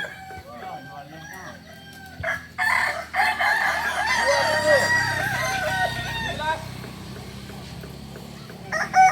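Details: Kukuak balenggek crowing during a practice session in Solok: scattered short calls, then a long, loud, wavering crow of many linked syllables lasting about four seconds, fading into low hum before a brief final call.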